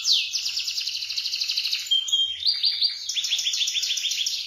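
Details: Vigorously singing canary giving rolling, high-shooting tutor song: an opening downward swoop into a buzzy rapid trill, a short pure whistle, then rolling descending notes in quick succession.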